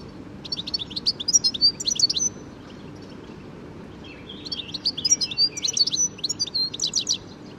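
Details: European goldfinch singing in a garden: two bursts of rapid, tinkling, high twitters and trills, each lasting about two seconds and separated by a short pause, over a steady low background hum.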